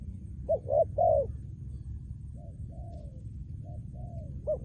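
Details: Trained decoy spotted dove giving soft, mellow coos: a louder run of three short throaty notes, then fainter drawn-out coos and a final short note, over a constant low rumble.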